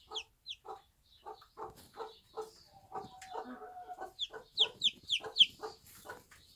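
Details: Bantam mother hen with her one-day-old chicks in a backyard on a small farm. The hen gives low, short clucks in a steady series. The chicks add high, thin, falling peeps, which grow louder and come in quick bursts toward the end.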